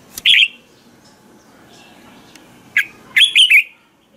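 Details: Red-whiskered bulbul singing a morning ché-style training song: an opening loud slurred whistle, quiet pause, then a single note followed by three fast, bubbling whistled notes.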